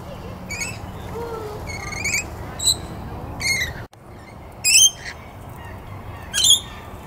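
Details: Rainbow lorikeet in Wollongong Botanic Gardens giving harsh, shrill screeches in short bursts every second or so, with a soft lower whistle from another bird behind.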